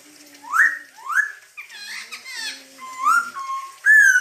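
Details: Masked laughingthrush (Garrulax perspicillatus), song.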